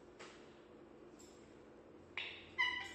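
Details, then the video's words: African grey parrot at play, having fun: near-silent room for two seconds, then a sudden harsh squawk followed by a louder, tonal, whistle-like note with strong harmonics at the very end. "African grey parrot having a great time. Talks and makes funny sound."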